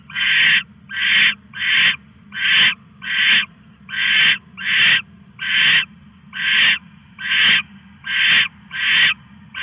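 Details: Owl calling at night while stashing a rat, 1:41 AM, August 21, 2015; a rapid run of about thirteen rasping, breathy screeches, each roughly half a second long, repeated steadily over a low hum.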